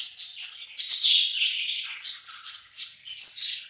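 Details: A group of pet budgies eating together, calling in rapid scratchy chirps and short squawky notes, several loud bursts in under four seconds.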